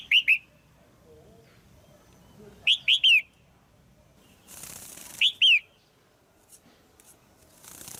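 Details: Caged female red-whiskered bulbul calling to rouse a male or to pair: clusters of two or three sharp, slurred whistled chirps, each note bending down, repeated about every two and a half seconds, with a brief soft hiss in between.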